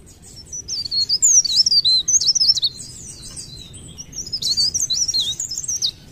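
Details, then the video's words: Leaf warbler delivering fast, high, thin twittering phrases, first a loud run, then a softer lull, then another stretch of rapid jittery notes. Low background hum throughout. "ocehan burung blerengan atau cikrak daun gacor ngerol"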